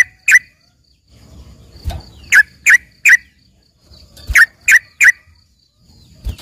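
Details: Trucukan isian, a tutored yellow-vented bulbul sounding like a vigorous greater green leafbird: clusters of three crisp, bright chirps separated by quiet gaps and soft low thumps, with a faint high steady tone.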